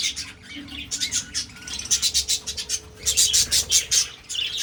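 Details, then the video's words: A group of breeding budgerigars fills the air with dense, rapid chirping and harsh, scratchy squawks. The calls come in quick bursts that rise and fall, over a constant low electrical hum. "Budgies Breeding Progress 2026"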